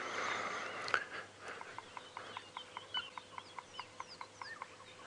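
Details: Bearded woodpecker drumming in the distance at sunrise on 27 October 2016, a steady series of hollow knocks about three per second, a territorial call telling other bearded woodpeckers this is its territory; thin chirps of other birds and a low engine hum beneath.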